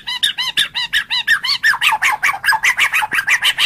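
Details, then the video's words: Loud, steady string of arched, slurred notes from a white-rumped shama, repeated roughly three times per second, each note bending up and down like a rapid chant, with no competing sounds. "Masteran Suara Burung Murai Batu"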